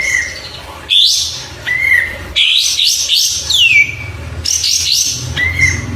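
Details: Tutor-recording song of an Oriental white-eye: steady whistled notes, then a run of jumbled high chattering phrases and a long down-slurred whistle, over faint low background rumble.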